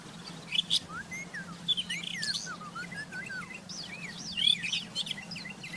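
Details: Rufous-tailed scrub robin singing in the wild: a flowing sequence of descending and rising slurred whistles mixed with high chips and quick trills, set against a faint continuous low hum.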